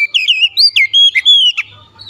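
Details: Brief loud phrase from a rival Oriental magpie-robin (kacer), sung to fire up another bird: clear, looping whistles and slurred notes strung together, ending with a high chip.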